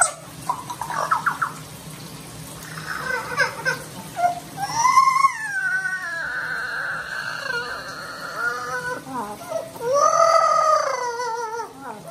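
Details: Pet Amazon parrot crying indoors because it does not want to be bathed: drawn-out, whining harmonic wails that slide downward, with short bursts early on and longer cries around the middle and end.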